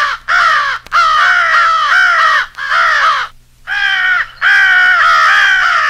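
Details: American crows giving a rally call, used to stage a fight with an owl for crow hunting: harsh, overlapping caws in long bursts with short gaps, several birds calling at once.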